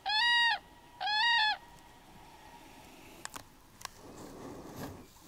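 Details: Common crane during courtship display in the Schlaube valley, giving two loud, rich trumpeting notes about a second apart, each slightly rising then held, followed by a few clicks and faint background rustle.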